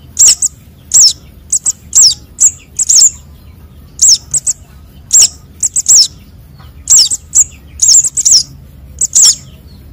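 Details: Sunbird nestling calls used as a trapping lure, high, thin chick calls, sharp twittering notes in uneven bursts about every second, with a low background hum.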